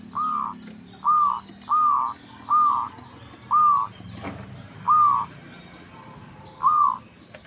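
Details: Local zebra dove, used as a lure to make rival doves reply: seven separate arched, mid-pitched coo notes at uneven intervals, with thin high chirping from other birds throughout.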